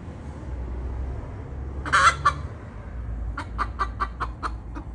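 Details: Hens from a group of four free-living hens in a yard, quarrelling over the same single nest, give a brief squawk then a run of about eight sharp repeated clucks, over a steady low rumbling background.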